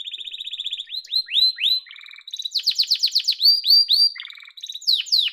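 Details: Yellow domestic canary singing a continuous, varied song of rapid high trills and rolls, with fast repeated rising and falling notes, shifting between buzzy lower tours and sharp whistled phrases, with no other sounds.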